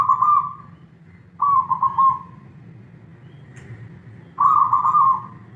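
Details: A kept zebra dove (perkutut) sings, cooing in soft, bubbly trilled phrases, three bursts roughly every two seconds, over a low steady background hum.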